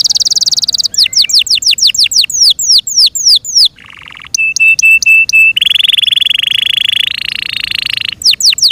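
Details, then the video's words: Loud song from a Yorkshire canary in care: buzzy trill, a long series of falling whistled sweeps, a low rattle, repeated clear piping notes, then a sustained rolling trill and more sweeps. "THE BEAUTIFUL SOUND OF FI YORKSHIRE CANARIES THAT MAKES OUR HEARTS SO HAPPY"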